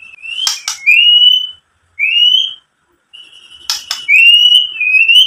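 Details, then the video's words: White-rumped shama song played to provoke other shamas into singing: clear rising whistles near 2–3k alternating with short harsh buzzy bursts, separated by brief pauses. "SUARA MURAI BATU memancing EMOSI jadi BUNYI NYAUT GACOR BONGKAR ISIAN | PANCINGAN MURAI"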